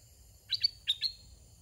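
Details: Red-whiskered bulbul, a caged decoy used when trapping wild birds, utters four quick high chirped notes in two pairs, sharp and whistled, against a low steady hum.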